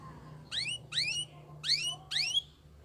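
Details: Belgian canary giving four separate upslurred whistled notes with bright overtones, spaced about half a second apart, over a low background hum.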